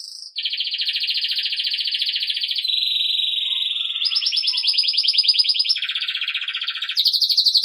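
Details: Belgian canary singing to train young birds: long rapid rolling trills held at steady pitches, shifting abruptly from one tour to the next, loud and continuous throughout.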